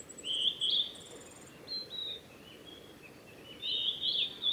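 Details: Male Blue-and-white flycatcher singing along the Mizusawa forest road, Tanzawa, Japan, 8 June 2020; rich warbled whistles with buzzy bits, alongside a thin high repeated trill from another bird.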